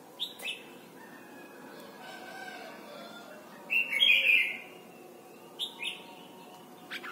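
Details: Red-whiskered bulbul song from Thailand for training young birds: opening whistled notes, a quiet stretch, then a loud sustained warbled phrase and two more short whistles near the end.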